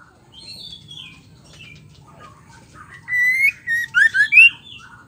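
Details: Female white-rumped shama voice used to goad male shamas into singing: soft warbling notes give way to a loud burst of rising whistles and quick slurred phrases, with a steady low hum underneath.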